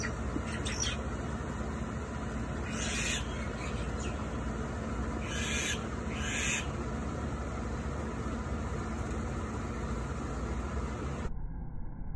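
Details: A myna gives four loud, harsh squawking bursts over about six seconds against steady rumbling wind or traffic noise, calling loudly before divebombing another bird.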